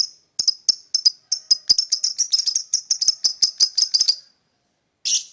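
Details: Lovebird chirping in the morning: a quick, rattling series of short high chirps for about four seconds, then a pause and one louder harsh note.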